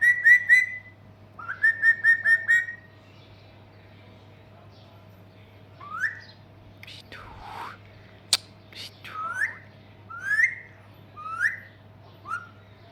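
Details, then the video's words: Talking parrot kept as a pet, acting wild in the summer heat: repeated harmonic whistled phrases at first, a quiet gap, then several rising, sweeping squawk-like calls spaced about a second apart over a constant low hum. "Mithu Garmi Men Pagal Ho Gya 🤣 | Talking Parrot"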